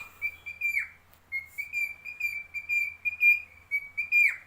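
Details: A lutino cockatiel, while eating, whistles a steady high note broken into short repeated phrases with downward slurs.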